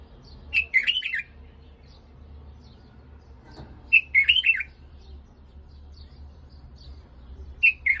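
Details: White-eared bulbul, Iraqi bird, song played for tutoring: three similar bubbly, slurred phrases spaced about three and a half seconds apart, each a rapid run of rising and falling notes, with a faint low hum throughout.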